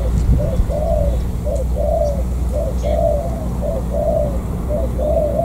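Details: Wild-caught spotted dove from An Giang, Vietnam, repeating soft two-part coos, a quick lead note and a drawn-out mellow note, roughly once a second against a steady low hum.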